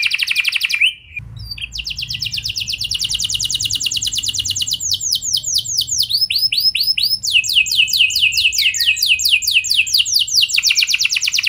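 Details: Canary song used as a lure to make other canaries sing: fast rolling trills of repeated down-slurred notes, shifting between trill types, with a brief break near the start; no other sounds stand out.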